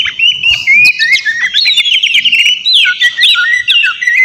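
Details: Noisy white-rumped shama (kacer) song meant to trigger a rival's reply: fast, dense whistled trills and zigzag notes, mostly high and continuous, with occasional lower slurred phrases.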